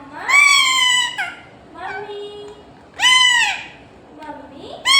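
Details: Talking parrot trying to say "Mummy": two long, loud, bright harmonic calls, each arching then falling, separated by quieter muttered, speech-like syllables, ending on another loud onset, with a faint steady hum.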